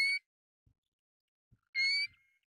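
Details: Pacific golden plover giving a brief whistle, then after a pause a longer, rising whistled note that trails off into a thin tone.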